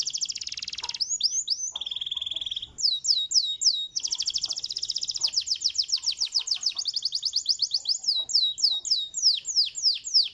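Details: Canary singing a long, varied song: dense high trills, a steady buzzy tour, then series of quick downslurred whistled notes repeated several times a second, continuing almost without pause.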